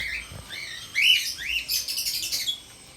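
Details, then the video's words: Pet sun conure (sun parakeet) giving a few high, arching squeaky chirps, then a rapid run of harsh, buzzy screeches lasting about a second. "Sun Conure"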